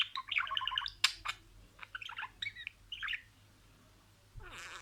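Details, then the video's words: Talking pet budgerigar copying words. A fast rattling chatter opens, followed by scattered squeaky syllables and short warbles, then a soft rustle at the end. "MUHABBETKUŞU KONUŞMA SESİ"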